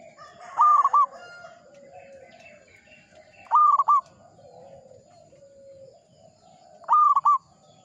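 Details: Zebra dove of a local strain in full song, giving clipped, rolling coos broken into quick beats, three phrases spaced roughly three seconds apart, with faint chatter and whistles of other birds behind.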